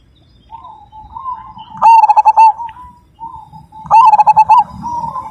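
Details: Zebra dove, Majapahit line, known for a loud 'kung' voice: quiet warbling coos swelling into two emphatic, rapid pulsed phrases roughly two seconds apart, then soft cooing again.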